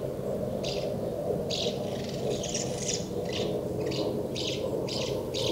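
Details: House martins congregating at their nests, busily feeding young, recorded 24 August 2012; short scratchy chirps repeated at fairly regular intervals over a constant low droning background.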